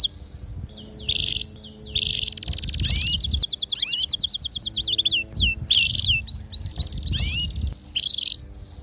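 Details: Domestic canaries, a singing male with a female calling to mate: repeated buzzy bursts about once a second, a long rapid rattling trill, then quick swooping whistles and more buzzy phrases.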